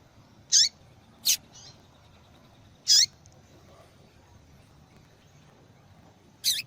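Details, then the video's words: Calling female yellow-bellied seedeater, a call valued in female-call contests and used to stir males to sing: brief high descending chirps, two close together, then isolated notes with longer pauses, plus a faint softer note. "Fêmea de Papa capim Chamando Muito !"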